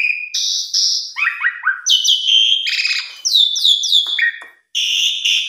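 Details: Asian pied starling used as a master song for training young starlings, a varied fast sequence of loud whistled phrases, high clear notes, rapid descending chirps and harsh bursts, with a short silence near the end.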